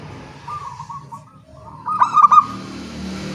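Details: Local zebra doves calling in the morning: a faint trilled coo followed by a louder stuttering phrase, over steady background hum and rumble.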